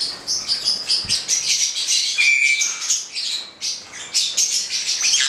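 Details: Two black-headed parrots chatter in quick, scratchy, high-pitched squawks and chirps, pulsing several times a second, with one clear whistled note standing out midway.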